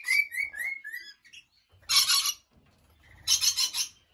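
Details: In the early morning in an aviary, lorikeets give bright, slurred chirps, then two loud, harsh screeching bursts about a second apart.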